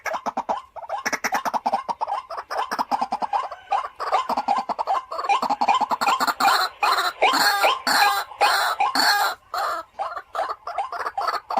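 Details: Decoy white-breasted waterhen in a home setting, calling continuously with rapid rough croaking and chattering notes in close-packed bursts that grow louder and denser toward the end.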